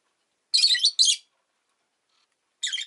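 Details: A pet rosy-faced lovebird gives two loud, rasping high chirps back to back, then a short pause and a third grating chirp.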